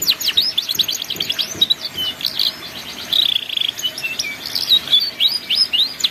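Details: Canary singing ngeriwik as a master for young birds learning: rich continuous warbling of high chirps, whistled slurs and brief buzzy rolls, varied and unbroken throughout.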